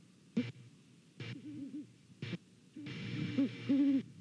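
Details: A pair of Great Horned Owls hooting at a nest in Savannah, late November morning; scattered low hoots, with a clearer group of deep notes in the last second.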